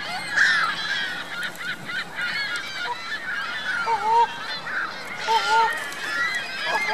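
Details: Geese with their goslings on Virginia Lake, Reno, 2 May 2013. Constant high, thin chatter and peeping runs throughout, with two clear lower honks in the second half, each slurred down.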